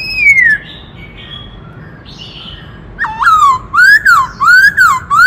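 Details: White-cheeked laughingthrush in 'kích trống' song: a long downslurred whistle and faint far notes, then a dip-and-rise note followed by a run of loud, regularly spaced arched whistles, roughly one and a half per second.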